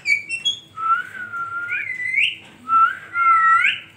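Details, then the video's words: Parrot chirping and whistling: a few short high notes, then long clear whistled tones that hold steady and sweep upward at the end, repeated in two similar rising phrases, with a faint low hum behind. "Parrot sound natural # parrot chirping"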